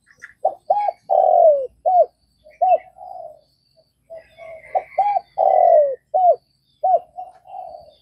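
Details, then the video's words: Vietnamese spotted dove cooing steadily: two quick arched notes, a long falling coo, then clipped coos and soft trailing murmurs, the phrase given twice, with faint chirping of other birds behind. "Tiếng cu gáy Việt"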